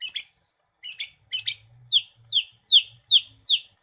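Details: Cucak ijo, or greater green leafbird, a contest songbird known for copying other birds, in lively full song: clustered high chattering notes, then steady sharply falling whistles roughly twice a second over a low hum.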